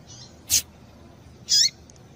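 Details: Double-collared seedeater female call, given to excite the male: a sharp broadband click followed by one loud, high, drawn note that ends in a falling slur.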